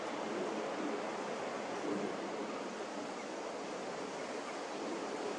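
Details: A steady broadband hiss like rushing water or surf fills the recording throughout, with no animal calls heard.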